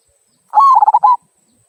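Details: One crisp phrase of a local zebra dove's "kung" song, used as a prompt to get other birds singing: a short, rolling string of rapid, staccato cooing notes lasting under a second, against silence.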